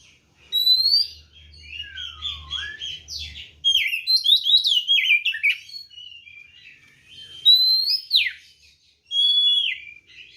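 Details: Fighting song of a white-rumped shama meant to provoke rival birds: dense rich run of whistles, slurs and chattering notes with a low descending whistle early on, loud bursts separated by short gaps, faint hum beneath.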